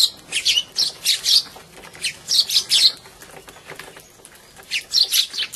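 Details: House sparrows squabbling while feeding at a winter feeding spot in February 2011, giving loud, harsh, high chirps in quick bursts of two to four, pausing between clusters.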